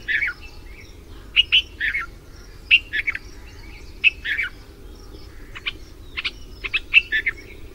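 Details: Red-vented bulbul in India after the monsoon giving mate calls: short bright chirps and quick two-note phrases, loosely repeated in clusters every second or so, over a low steady background hum.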